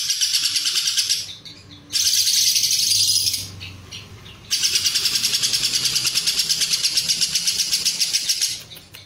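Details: Lovebird giving a long ngekek in the Cililin style, used to tutor and stir competition birds: high, rapid chattering trills pulsed about three times a second, in three bursts separated by short quiet gaps.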